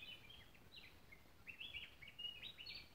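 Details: A Gray-breasted Wood Wren in cloud forest in the Tilarán mountain ridge, Costa Rica, sings quick, rich warbled phrases of clear whistles jumping up and down in pitch, over a low rumble, other birds present.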